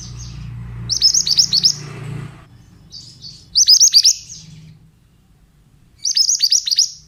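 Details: Oriental magpie-robin, a male, sung to prompt other birds to answer: three separate bursts of rapid, sharp, high chirps, each of about six down-slurred notes, spaced roughly two to three seconds apart, with soft low background hum.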